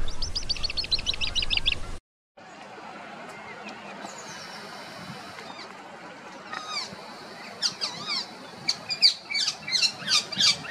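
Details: Female rose-ringed parakeet in natural surroundings: a quick burst of high, even chirps, then a short silence, then harsh arched screeches growing louder and repeating rapidly over a steady low background rumble.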